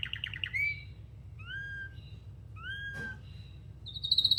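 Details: Canary song of clear whistled notes, some rising and some gliding downward, with a quick rattling trill at the start and a fast high trill at the end; steady low hum in the background.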